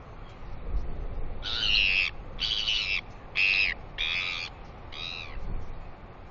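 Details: Royal albatross chick squealing excitedly in the early morning as a parent arrives to feed it. Five harsh, nasal, high squeals of about half a second each are heard over steady wind rumble.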